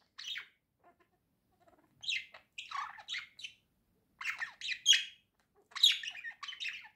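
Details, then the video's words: Two pet budgerigars, a male and a female, singing cheerfully together indoors: bursts of chattering, scratchy warbles and squeaky chirps separated by short silences. "Весёлое пение волнистых попугайчиков"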